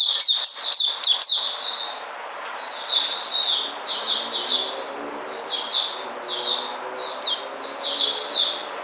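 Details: White-eye singing on 13 February 2020 as it regains energy: a brief flurry of sharp high notes, followed by a run of slurred, separated twittering phrases.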